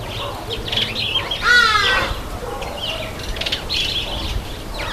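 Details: Red-headed finch (red-headed amadina) taking a bath: short, scratchy chirps at an uneven pace, with one louder, harsher nasal call in the middle; faint background hum throughout.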